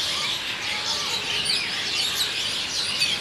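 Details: Many Asian Pied Starlings returning to their fixed night roost in Kolkata, India, at dusk, shot on a Nikon D3200; busy high-pitched chirping and sliding whistled notes overlap densely across the whole stretch.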